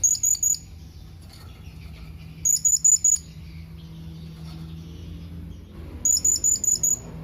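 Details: A blue-crowned hanging parrot calling to its companions delivers three bursts of four to six rapid, very high, clipped chirps, spaced a few seconds apart, over a low steady hum.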